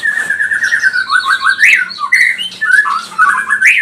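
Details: White-rumped shama singing to stir up rival birds: lower fluting whistles held and wavering, broken by quick rising slurs and short repeated notes, about two phrases a second.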